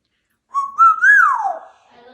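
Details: Pet African grey parrot, male, kept indoors, whistles a flat note, steps higher, rises to a peak and slides down in a long falling glide, followed by faint voices.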